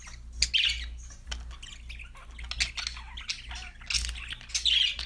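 Budgerigar chirping in quick, scratchy bursts of high warbles and squawks.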